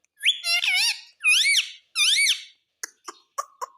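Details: Pet talking parrot, a bird said to say "mummy" and "papa", indoors: three loud, wavering, harmonic speech-like calls that rise and fall, followed by several short clicking chirps.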